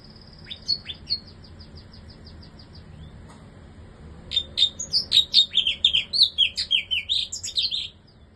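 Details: Caged bar-winged prinia in a new cage: a rapid run of thin, high repeated notes, a pause, then a loud burst of sharp, varied chirping notes at a quick, uneven pace for about three seconds.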